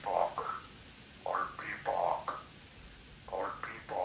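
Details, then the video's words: A 3-year-old female pet Congo African grey parrot talks indoors in a country home shared with two other parrots. Short speech-like syllables come in uneven bursts with quiet pauses between them. "African Grey Talking Parrot"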